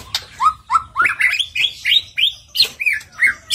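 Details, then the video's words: White-rumped shama song used as a lure to get other shamas singing: a rapid series of loud rising whistled notes, each sliding upward from around mid pitch, repeated several times a second with sharp clicks between. "Pancingan Murai Batu Agar Bunyi Ngeplong"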